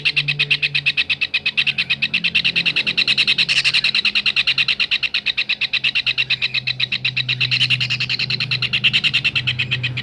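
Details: Kingfisher calls played to tutor songbirds: a fast, even chatter of harsh, high notes at about three per second, some bursts slightly louder, low hum faintly present.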